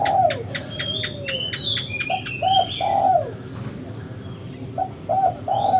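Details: Spotted dove call used as a trapping lure: low mellow coos at the start and middle, including a rising-then-falling drawn-out note. Another bird's bright high whistled phrases and clicks overlap, with steady background hiss.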